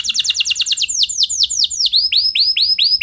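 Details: Canary, singing to train other canaries: quick chattering notes slow into a series of clear, curving downslurred whistles repeated several times a second.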